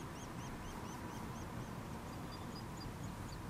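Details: Nuttall's woodpecker chicks being fed give evenly spaced, high arched chirps about three per second, fading into softer, thinner notes, against steady low noise.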